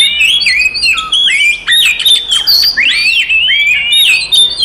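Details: Oriental magpie-robin in a fighting song meant to provoke rival magpie-robins: loud, continuous run of whistled, swooping and rising-falling notes mixed with harsh squawky phrases, pitched high and dense, with no other sounds.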